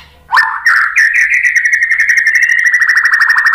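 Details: White-rumped shama (murai batu) provoking song: a sharp upslurred note, then a long, even, rapid rattling trill sustained to the end, loud and clean.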